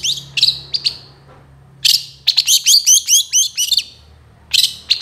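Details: Long-tailed shrike singing energetic full-fill song kept as a training master for other birds: a few sharp chips, a quiet pause, then a fast run of bright, repeated rising squeaky notes and a final chattering burst.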